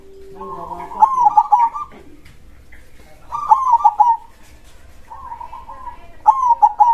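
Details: Zebra dove, a local perkutut, in full voice with a big krosing song. Mellow rolling coo phrases, each with a sharp start and a trilled, bubbling end, come about every two to three seconds.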